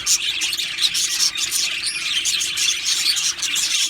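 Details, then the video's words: Several Australian budgerigars of an aviary colony chirping, a bright, busy mix of high squeaks, short whistled notes and warbling chatter that keeps going without a break. "Australian parrot Chirping Sounds | Australian Budgies Parrot Singing Video"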